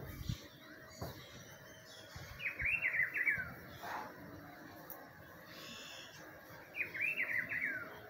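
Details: Rufous-browed peppershrike calling in spring: two bright, tumbling whistled phrases with a descending finish, about four seconds apart, over a soft background hiss and a few faint thumps.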